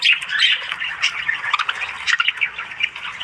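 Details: Budgerigars, Australian budgies, in the morning: dense, continuous warbling chatter of rapid squawks, chirps and clicks overlapping throughout, several birds calling at once with frequent sharp accents.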